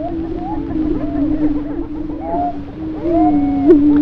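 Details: Greater prairie chickens booming on a Missouri booming ground before daybreak, circa 1958, heard from a blind before the birds could be seen: a continuous low droning hoot with overlapping whooping calls and cackles from many birds.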